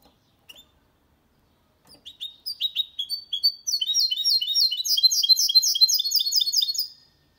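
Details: A goldfinch × canary hybrid sings cleanly without errors, a fast run of bright twittering notes rising into a dense, rapid series of high chirps with slurred trills, used to stimulate males to sing and to teach chicks.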